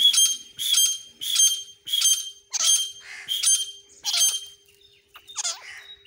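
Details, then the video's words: A pair of grey francolins giving loud, ringing, shrill calls in rapid succession, about one and a half per second, mixed with rougher looping notes near the end. "desi jode Ki awaaz grey francoline voice"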